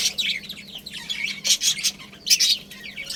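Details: Budgerigars from a breeding pair and family flock: busy high chirping and twittering, rising into several loud, dense bursts of chatter, with a low background hum.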